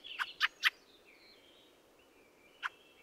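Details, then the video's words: Three strong, scratchy chack calls in a fast burst from a Fieldfare (Turdus pilaris), a pause filled with faint high warbles, then one more harsh note. "The song of the Fieldfare"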